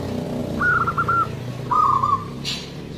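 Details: Actively singing local zebra dove with a big, long voice, used to lure other birds: two rolling, trilled coo phrases in quick succession over steady low rumbling noise, then a brief hiss.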